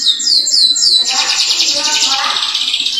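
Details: Atlantic canary in continuous 'gacor' singing used to start other canaries singing: three quick descending whistles followed by a dense, rolling high warble.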